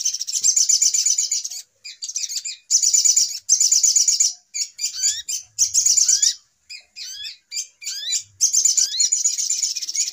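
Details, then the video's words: Brown-throated sunbird agitated lure call for bird trapping: bursts of shrill fast twittering alternate with scattered upward-slurred notes and short pauses, roughly every couple of seconds. "Suara Pikat Ribut Burung Sogok Ontong Paling Mujarab"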